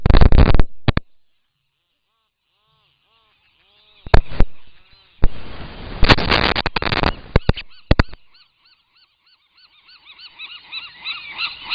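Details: A Rhinoceros auklet chick, still partly downy, flaps its wings outside its burrow on Año Nuevo Island before fledging, giving thin, reedy calls with stacked overtones in quick runs between loud bursts of flapping and rustling.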